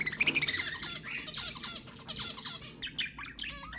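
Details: Budgerigar warbling intended to stimulate mating, a loud squawky burst at the start, then a steady run of rapid downslurred chirps and twitters.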